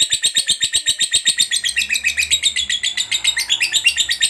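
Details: Long ngekek from a lovebird of fighter type, the chattering song hobbyists use to prompt other lovebirds to sing: very fast, regular, shrill pulses, about nine a second, sustained throughout, with a faint low rumble behind.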